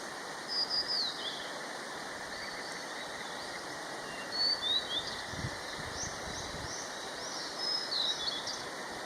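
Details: A Blue-and-white Flycatcher sings along a mountain stream in the mountains of Nara on 26 April 2019, giving high, clear whistled phrases with quick slurred notes every few seconds over the steady rush of the stream.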